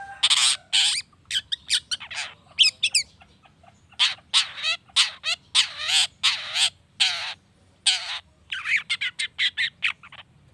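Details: Long-tailed shrike song used as a lure to provoke other shrikes into singing: a rapid run of harsh, buzzy squawks and scratchy broadband bursts mixed with short warbled and whistled phrases, with brief gaps between bursts.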